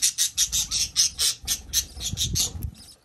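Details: Newly hatching budgerigar chick giving thin, high peeps repeated about four times a second, fading toward the end, with soft low rustling beneath.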